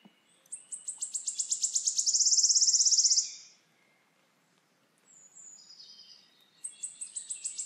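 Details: Wood warbler singing: a run of sharp high ticks speeding up into a dry shivering trill that lasts about a second and a half, then fades; after a pause, brief thin notes and another accelerating series of ticks begin.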